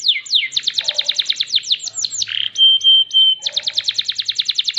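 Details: Prize-winning canary in full song: quick runs of high falling notes, a buzzy burst, three level whistled tones, then another brisk even trill of sweeping notes.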